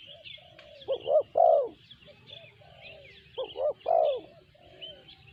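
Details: Spotted dove, sanji voice: two low coo phrases of double short hoots and a drawn-out final note, separated by a pause, with background twittering of small birds.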